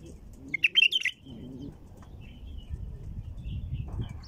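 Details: One clear, rapid bubbling phrase from a female bulbul, sung to get other bulbuls going, followed by quieter faint notes over a soft low hum.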